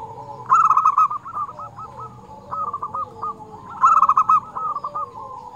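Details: Local zebra dove, a prolific singer with a crystal-clear voice, used as a lure for trapping doves. Two loud bursts of rapid, bubbling coos, each followed by fainter trailing stuttered notes, repeated about three seconds apart.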